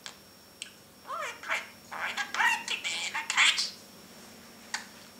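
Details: Pet parrot talking in its cage, a male: a string of speech-like syllables with shifting tones and rasping edges over about two seconds, framed by a few sharp clicks and quiet room sound.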